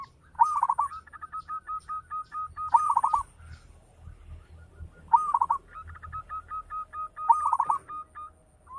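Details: Local Indonesian zebra dove (perkutut lokal) singing actively with a big voice: repeated cooing phrases, each a rolling burst followed by a string of evenly spaced clipped coos, recurring roughly every two to three seconds over low background rumble.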